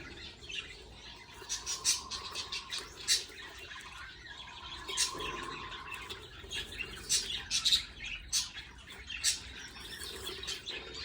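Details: Budgerigar chicks begging while a parent feeds them: bursts of harsh, raspy, high chattering that come and go irregularly, with a faint steady low hum underneath.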